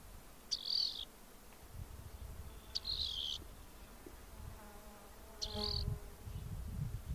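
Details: Rock wren song of three brief buzzy phrases, each opening with a sharp upstroke and then a rough, wavering note, repeated every two to two and a half seconds; soft low rumble and a faint lower tone between phrases.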